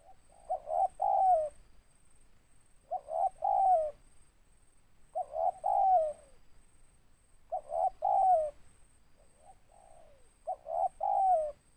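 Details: Big-voiced 'ngeruk' local spotted dove with 'tindan' repeats its three-part coo five times, roughly every 2.5 seconds: two clipped notes and a longer downward-sliding coo. There is one soft extra coo near the end.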